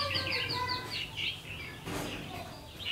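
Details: Red-whiskered bulbul lure bird at a double spring trap, 5 pm on 3 September 2016: a loud run of quick bouncing whistled notes, then a harsh burst midway and more rising whistles, over a low hum.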